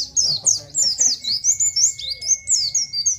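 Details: Oriental white-eye singing the nGalas style of song, a recording used to train captive birds; a rapid run of high, thin, sliding chirps, about four per second, with a steady faint whine beneath.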